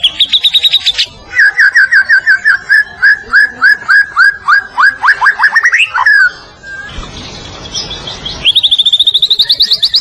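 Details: Medan-type white-rumped shama in full song, used as a training recording for other songbirds. A rapid high trill leads into a long series of repeated sweeping whistles that speed up, then a hissing pause, then another high fast trill.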